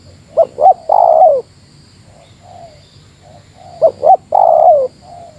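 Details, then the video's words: Spotted dove giving a meratus-style challenge to a rival: two brisk clipped notes and a long, downward-sliding coo, repeated twice about 3.5 seconds apart, with soft low coos between. "Suara Burung Tekukur Meratus Lawan"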